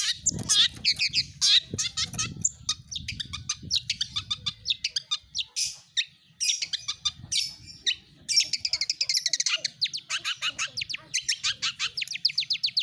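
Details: Long-tailed shrike song used as a lure to get quiet caged birds singing: dense, rapid, high chattering with varied trilled and sharp notes in quick succession, over a low rumble during the first half.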